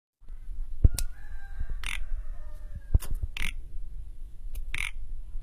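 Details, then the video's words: A caged Asian pied starling being tamed gives harsh, raspy bursts about every one and a half seconds, with a thin, level whistle early on, over a steady low rumble. "jalak suren agar gacor"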